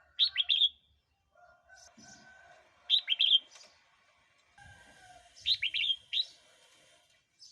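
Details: Red-whiskered bulbul song played to provoke wild birds or teach young birds: short bright phrases of three or four quick, rich whistled notes, repeated about every two and a half seconds, with faint hum and low background sounds between.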